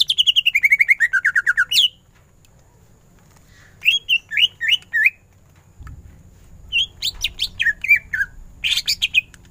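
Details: Greater green leafbird singing ngentrok style for masteran, starting with a fast rattling run of notes that steps downward, then short groups of sharp whistled chirps separated by brief pauses.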